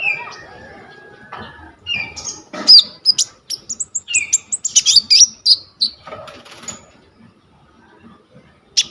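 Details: Coconut lorikeet singing, captured on a vivo Y21 phone for tutoring sunbirds: softer scattered notes at first, then a run of loud piercing chirps and buzzy high squeals that fades toward the end.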